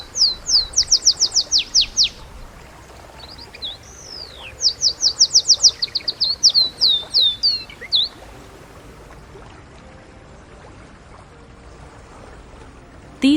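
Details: Canary song: high, rapid trills of sharp repeated notes, with a few swooping slurred whistles between bursts, lasting about eight seconds before quiet.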